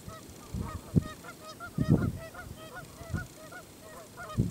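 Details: Canada goose at Kellys Slough NWR, North Dakota, on 6 April 2013, signalling disgust as a person comes too close: steady run of short nasal honks, some overlapping at different pitches, with loud low thumps about every second.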